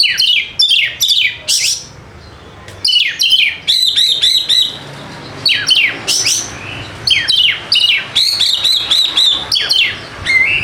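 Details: Kept white-rumped shama singing a lure song meant to spark silent birds into song, with loud bursts of scratchy descending notes and clear whistles in phrases separated by short pauses.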